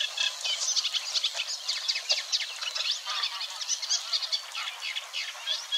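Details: Eurasian Reed Warbler singing in reeds at Wetering West, Overijssel, in May 2022: a continuous burbling chatter of rapid harsh and sweeter notes, repeated in uneven bursts, with mild mimicry.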